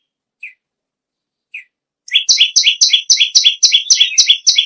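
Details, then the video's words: Bar-winged prinia (perenjak bawah) giving two isolated soft high notes, then launching into a fast series of loud, sharp, doubled chirps repeated roughly four times a second. "BURUNG PERENJAK BAWAH/LUMUT GACOR NGAMUK PARAH"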